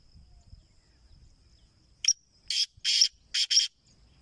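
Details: Captive black francolin, known as Kala Teetar and offered for sale, gives a loud, harsh, grating call: five rasping bursts in quick succession after two quiet seconds, over a steady high insect whine.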